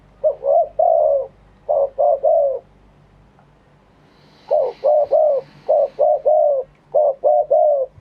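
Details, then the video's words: Spotted dove cooing live in a true wild-style phrasing (kharm pa thae), Thailand: low mellow three-note coo phrases, the final note drawn out and falling, repeated in quick bursts with short pauses; faint high hiss between phrases. "เสียงนกเขาใหญ่ ขันสด คารมป่าแท้"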